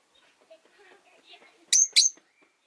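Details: Two sharp, high chirps from caged Rosy-faced lovebirds, three birds newly sharing one cage by a window, follow a soft low murmur of background noise.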